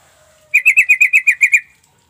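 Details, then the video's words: Sooty-headed bulbul lure call for coaxing quiet birds to respond: a crisp, rapid series of nine bright chattering notes in about one second, clean and without other sounds. "Trucuk bahan ombyokan bakalan nyaut dengan pancingan trucuk ini"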